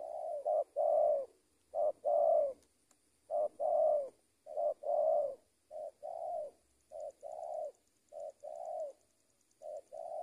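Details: Long run of low, hollow spotted dove coos from a trained lure bird, short-long note pairs repeated roughly every second, gradually softening toward the end; steady faint high whine.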